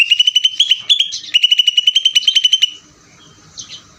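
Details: Greater green leafbird singing in ngeder style: a fast chattering run of bright, clipped notes repeated about ten per second for under three seconds, with a slight wavering in pitch, then near silence with a faint later chirp.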